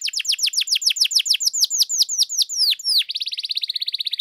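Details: Energetic canary song to rouse other canaries: a long run of repeated downward-sweeping whistled notes, about three per second, ending in a fast, even, buzzy trill.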